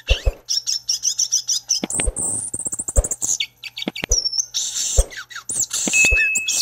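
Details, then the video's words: Fringillidae songbird known as gaturamo-verdadeiro, the violaceous euphonia, pours out a dense, fast high warble of repeated chips and whistles, with scattered low thumps and clicks beneath. "Gaturamo-verdadeiro ou guiratã (Fringillidae)."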